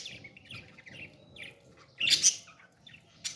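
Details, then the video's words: Baby parrot being fed, with faint wheezy chirps and then a loud, harsh squealing burst near the middle. "beautiful parrot 🦜 baby feeding"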